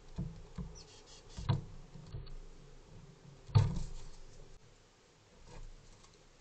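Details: Soft knocks and two sharper thumps over a quiet background, without any animal calls.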